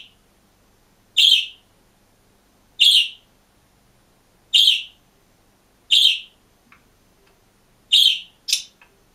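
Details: Green pet budgerigar alone in a cage, giving single short chirps with a bright, harsh upper edge, repeated at irregular gaps of one to two seconds, with a quick double note near the end; quiet room otherwise.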